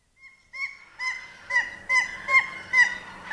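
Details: A single Hawaiian goose, recorded close up with distant sounds from its collection, gives six short, nasal, slightly downslurred honks about every half second.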